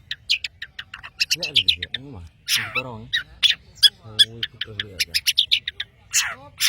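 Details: Madura long-tailed shrike in full, busy song: rapid high chirps and clicks, interrupted by lower wavering, warbling notes and a harsh burst midway.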